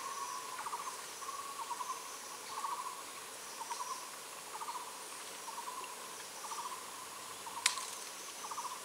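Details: Collared owlet of the endemic Taiwan subspecies at its nest in Jiaxian, Taiwan, 2 May 2021, male returning to feed the incubating female; short pulsed trilled notes repeated about every second, with a steady insect hum and one sharp click.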